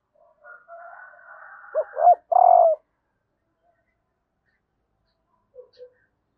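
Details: Female spotted dove calling to stimulate males. A low raspy murmur runs into two short arched coos and a louder, longer coo, followed by silence and two faint soft notes.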